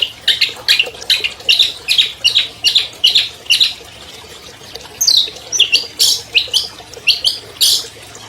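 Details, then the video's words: Albino long-tailed shrike, a 2020 champion songbird, singing a long, clear master song meant to prompt silent shrikes to sing: rapid bursts of sharp, high chirps and trills, about two to three per second, with occasional rising sweeps. "MASTER SUARA CENDET ALBINO JUARA 2020 #AMPUH MEMANCING CENDET MACET BUNYI"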